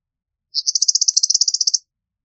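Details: Eastern meadowlark giving a dry, rapid chattering rattle of about eighteen evenly spaced buzzy notes lasting just over a second, alone in silence.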